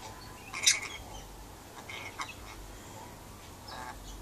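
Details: Captive rainbow lorikeet out on a verandah, calling to birds outside: one loud, grating screech, then a few fainter rasping notes over steady low background hum.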